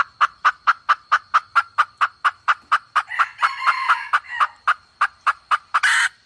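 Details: Red junglefowl hen, a forest hen used as a calling lure, clucks in a quick, steady series of short notes; a rougher, louder cackle breaks in midway, and a brief noisy burst follows near the end.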